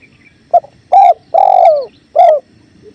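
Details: Masteran of a spotted dove (tekukur) with clear river flow: one full four-part phrase, a clipped opening note followed by three hollow coos, the third longest and gently descending.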